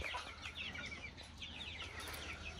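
Chickens clucking in soft, repeated nasal notes, several birds overlapping, over a steady low hum and a man talking.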